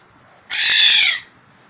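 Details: Black-naped oriole (kilyawan) calling after coming home to a house in Bicol; a single harsh, nasal, drawn-out squawk lasting under a second.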